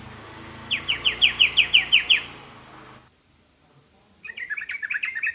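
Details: Sooty-headed bulbul song aimed at making other bulbuls respond: a trill of about nine sharp downslurred chirps, a brief silence, then a quieter bubbly chattering phrase.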